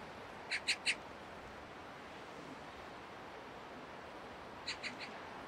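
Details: Eurasian magpies facing off with crows over territory on an apartment rooftop, early November 2024: two brief bursts of three harsh rattling notes, a few seconds apart, over a constant noisy background.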